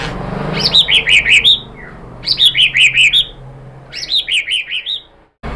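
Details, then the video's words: White-rumped shama song used to make another bird sing, three matching phrases of five or six high, clipped downslurred notes, each phrase separated by a brief pause. "KICAUAN MURAI BATU merangsang BUNYI jadi EMOSI NYAUT GACOR NGEPLONG BONGKAR ISIAN ¦ PANCINGAN MURAI"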